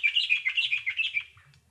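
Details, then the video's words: Bulbul chirping: a quick run of about ten bright, twittering notes, steady and evenly spaced, that fade out after about a second and a half. "Bulbul Sounds | Sound of Happiness and Peace | Bird chirping"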